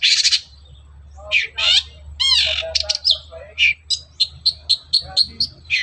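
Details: Long-tailed shrike in the morning, a lure to prompt other shrikes to sing: harsh grating bursts and mimicking slurs, then a steady series of short sharp high notes, with a low hum behind.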